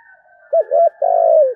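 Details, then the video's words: Spotted dove in the thổ voice style, a brief fragment of its calling song: two short, clear coos followed by a longer coo that slides gently downward. Faint murmuring precedes them. "cu gáy giọng thổ thúc gù + gáy gọi đủ bài"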